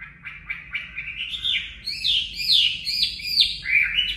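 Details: Chinese hwamei ('mộc' type) singing for caged-bird voice training: varied rich phrases, short notes building into loud, rising, ringing whistles with sharp accents, over a low background murmur.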